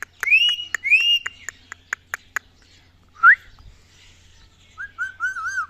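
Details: An angry ringneck parrot screeches twice with loud rising notes between sharp clicks, then gives a single upward whistle and a few wavering calls. A person speaks Hindi nearby.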